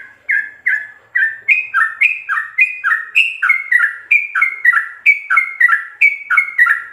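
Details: Sooty-headed bulbul in rapid 'ropel' style with full fill-ins, used as a master recording for training captive birds: fast paired chirping notes alternating between higher and lower pitch, about three per second, with no other sounds.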